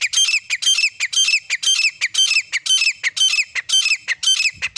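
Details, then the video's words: Partridge pair (grey francolin, teetar), a cleaned, filtered hunting lure call: harsh, squawky, ringing notes in tight bursts, repeated about twice per second in a steady run without pause. "Final Sound of Partridge Pair | شکاریوں کی پسندیدہ آوازیں | Clear and Filter Hunting Sound"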